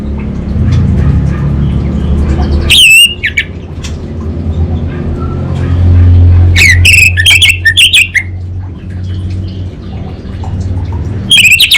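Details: Orange-headed thrush in gacor 'kabel konslet' style: an opening upswept buzzy note, then a cluster of rapid, rasping twisted notes, and a final burst near the end. Low rumble between the phrases.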